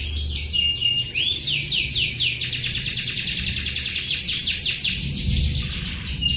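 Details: Canary singing a long rolled song, with rapid series of repeated high sweeping notes in fast trills that shift from one phrase type to the next, continuous throughout, with a low background hum.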